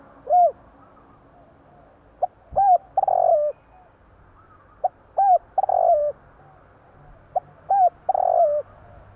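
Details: Night-time cooing of a spotted dove: three repeated phrases, each a short note, a hooked coo and a long sliding coo, spaced about every three seconds in an otherwise quiet setting.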